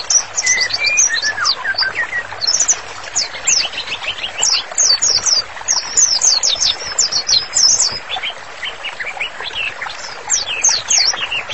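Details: White-rumped shama in full song, recorded as a master for bird therapy: long run of quick, high whistled notes and chattery trills, with short gaps and falling whistle phrases, varied and continuous.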